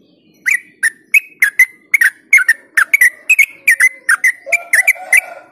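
Yellow-vented Bulbul pouring out a fast run of short, bubbly, chirping notes, about three a second, bright and mid-pitched, with a faint lower hum near the end.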